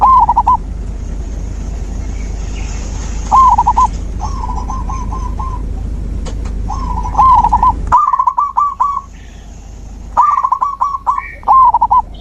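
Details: Repeated zebra dove song used to restart a dove that has stopped singing: several brief phrases of fast, clipped cooing notes come at irregular intervals over about twelve seconds, with faint chirps behind them.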